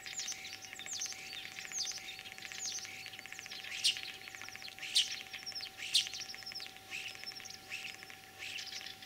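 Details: Common starling song imitating other birds, Kalyazin district, Tver region, Russia, 9 April 2023 in spring; a continuous medley of crackling rattles, thin whistles and three sharp, piercing high notes standing out in the middle.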